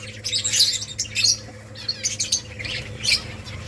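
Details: Colony of finches chirping while building nests: bursts of high, scratchy chirps and squeaky notes from several birds overlapping, with a steady low electrical hum underneath.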